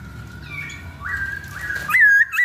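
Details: Chinese hwamei singing a lure song: soft, steady whistles at first, growing into louder, sweeping, slurred notes near the end, over faint low background rumble.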